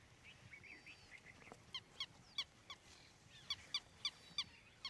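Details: A striated heron gives a run of sharp, dry clicking notes, three or four a second, with faint thin whistles from other birds at first; Ranthambore National Park, India, November 2023.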